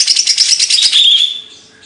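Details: Songbird singing a fast series of high, sharply repeated chirping notes, about eight per second, then sliding into a brief sustained whistled tone that fades away.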